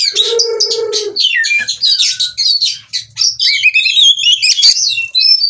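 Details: Mating-ready oriental magpie-robin performing ngobra display at a breeder's in Cirebon, Indonesia. Opens with a second-long rasping buzz, then dense chattering phrases give way to sliding, rising whistles.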